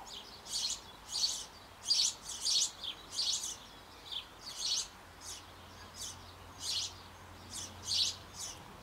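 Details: At a nest box on an old apple tree in Bavaria, sparrow parents feed their nestlings just before they leave the nest. Grating, noisy chirps come in quick clusters, then thin out to single calls every second or so.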